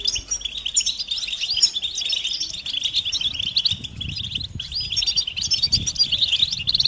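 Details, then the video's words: European goldfinches in a collective twittering meant to push males to sing, mating and readiness calls forming a busy stream of high chirps and buzzy trills over a low rumbling background noise. "بتبتة جماعية رهيبة لتحفيز الحسون على التغريد والهيجان"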